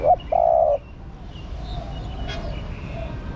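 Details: End of a female spotted dove's stimulating call, a clipped short note then one long flat coo, followed by quiet background hum and faint chirps.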